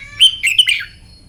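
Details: Morning song of a Red-whiskered bulbul trained for singing contests: a loud, cheerful run of bright whistled notes, first sustained then tumbling in quick slurs to a lower ending, over quiet background.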